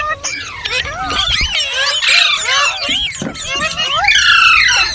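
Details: Ringneck parrot in talking and singing mode: fast run of squeaky, curling whistled notes, about three or four per second, rising into shrill buzzy screeches toward the end.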